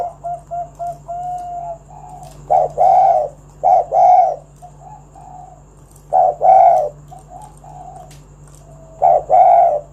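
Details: Lively spotted dove singing to entice other doves to call: a quick series of soft, short coos, then louder, fuller two-part coos spaced a few seconds apart, with a low steady hum beneath.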